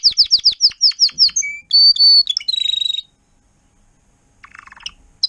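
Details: Timbrado canary tutor singing for young birds: quick repeated falling chirps, a short low whistle, a sustained high tone and a buzzy trill, then silence and faint twitters.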